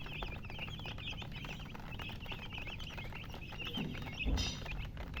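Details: Colored chickens give a busy stream of thin, high chirps, quick and overlapping, set against a constant low background hum, with a brief louder rustle near the end.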